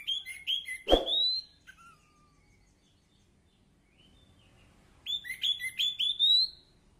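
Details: Orange-headed thrush singing, recorded as therapy audio to get a quiet bird singing again: a burst of rapid slurred whistles, then a sharp knock and a long pause before another run of quick rising and falling whistled notes.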